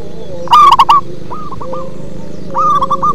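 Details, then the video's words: Local zebra dove singing with a bass timbre: a strong cluster of quick rolling coos, then softer, widely spaced coos and another phrase building at the end, over a faint continuous hum. "Perkutut lokal manggung ngebas"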